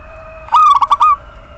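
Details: A single coo from a local female zebra dove calling the male, used to prompt quiet males to sing: a smooth opening note, then quick pulsed beats, then a level closing note, over a steady soft hum.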